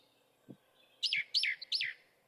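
A Song Thrush sings three loud, clear, fluty phrases of similar shape in quick succession, each about a third of a second. Soft low thumps sound between them.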